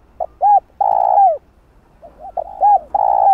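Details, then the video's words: Spotted dove cooing, used as a lure to draw wild doves for trapping: two phrases of short coos, a low pop then a rising-falling hooted note and a long sustained coo, clean with no other sounds. "Tiếng cu gáy gọi thúc gù kích mồi tập bổi, kích bổi ức chế gáy nhanh"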